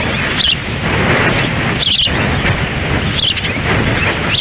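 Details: Osprey nest in Lolo, Montana, June 10, 2017: the female struggles to feed chicks in the wind while the male waits; several short, sharp, high whistles break through loud gusting wind.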